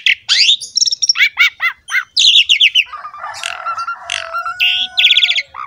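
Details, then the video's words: Captive Asian pied starling singing a varied, energetic song used as a master recording to prompt a quiet bird to sing: rapid repeated whistled notes, downslurred chips, and a harsh grating passage. "MASTERAN BURUNG JALAK SUREN"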